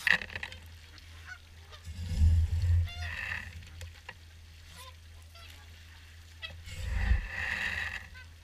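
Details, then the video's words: Swans at an evening feed at Caerlaverock, a crowded flock giving loud, brassy honks that rise in two main surges, around three and seven seconds, amid continuous low wind noise. "Evening Swan Feed"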